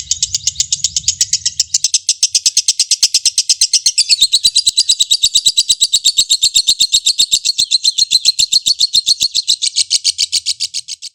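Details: Caged lovebird delivering a sustained ngekek meant to trigger rivals into song: a long unbroken burst of rapid, harsh, high chattering notes at a steady fast rate, dipping slightly in pitch midway and fading at the end.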